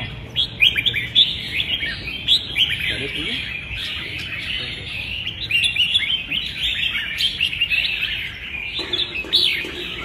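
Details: Red-whiskered bulbuls singing in a contest, 15/12: dense, overlapping bright chirps and warbled phrases, high and busy throughout, with brief louder bursts and a faint human voice near the end.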